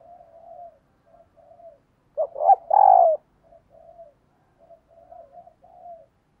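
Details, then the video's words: Decoy spotted dove cooing in the morning to call in wild birds: soft low cooing phrases, then a sudden loud, emphatic burst of coos midway, followed by a return to quieter repeated coos. "Tiếng Chim Cu Mồi Thúc Và Gáy Gọi Bổi Vào Buổi Sáng"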